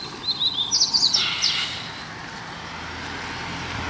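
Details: Free-flying double-collared seedeater in a residential neighbourhood giving a brief burst of high, rapid twittering notes and a short trill, then falling silent over steady low traffic-like rumble.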